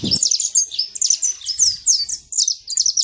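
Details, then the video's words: Saffron finch singing free in nature: a rapid string of high, sharp chirped notes in quick bursts, with a brief low thump at the start. "Canário da terra livre na natureza"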